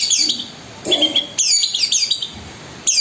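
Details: Long-tailed shrike in lively song, a 'gacor' bird mixing filler phrases: bright, rapidly sweeping high chirps in short clusters, one clear whistled note between them, quiet background.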